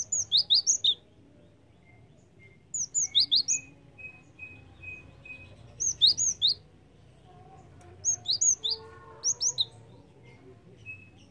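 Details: Java sparrow (Padda oryzivora) used as a lure call, giving bursts of sharp, high chipping notes in quick clusters every two to three seconds, with a thin sustained whistle between bursts.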